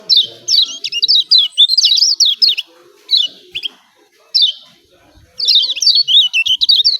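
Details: Yellow white-eye (kecial kuning) from Lombok giving energetic 'ciak ciak' calls. Rapid bursts of high, sharply descending chirps in quick strings come first, then a pause with single notes, then another fast run.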